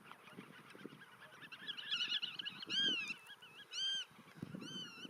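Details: Black-tailed godwits calling in a nature reserve: loud, arched, nasal notes stand out singly or in short bursts about once a second over quieter wavering calls, with a low rumble of other birds beneath.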